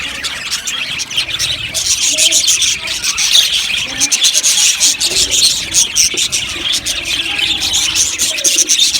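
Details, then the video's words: Aviary colony of budgerigars, many birds chattering together in a continuous high, scratchy warble with sharp chirps scattered through it. "Amazing Budgies chirping sounds | Budgies parakeets sounds"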